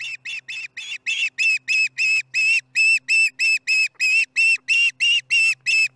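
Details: During dinner at the Charlo osprey nest, July 15, 2019, 4:30pm MDT, an osprey gives a steady stream of loud, high whistled chirps, about three per second, close and clear.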